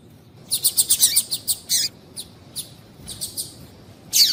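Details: Female double-collared seedeater calling to warm up singing males: a fast series of sharp, high chirps, ten or more close together, then scattered softer notes and a final loud chirp.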